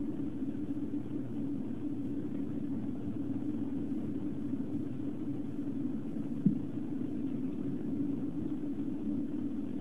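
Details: Steady low rumble like distant traffic or wind, with one brief thump near the end and no animal calls.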